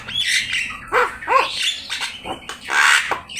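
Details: Javan myna in full song, used as a master recording for training birds: hoarse squawks alternate with brief rising and falling whistles in quick, uneven succession, ending in a broad raspy burst.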